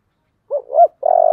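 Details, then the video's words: One phrase of a spotted dove's 'giọng thổ' style song: two short, low, rising coos and then a sustained, buzzy, vibrating coo. "cu gáy giọng thổ"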